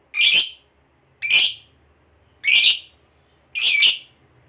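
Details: Fighter lovebird, in a recording meant to provoke a rival, giving four separate loud, harsh, shrill screeches, each lasting a fraction of a second, spaced about one second apart.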